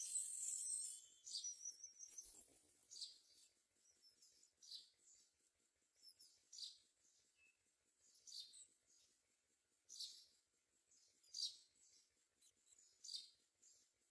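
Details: Myna calls while the parents find food to feed their babies: short, raspy, high-pitched bursts repeated every one to two seconds, a louder scratchy outburst at the start, faint clicks between.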